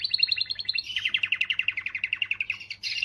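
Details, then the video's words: Canary in full song meant to excite females: a fast chirping trill, then a long, even series of rhythmic notes, about seven per second, slowly descending in pitch. "تغريدة قوية من الكناري لتحفيز .. The strongest tweet from the canary to motivate"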